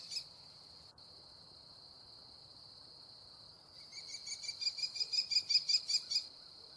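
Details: Calls of an American kestrel eating prey, a fast run of about ten sharp, piercing notes rising in loudness midway, set against a constant high-pitched insect whine.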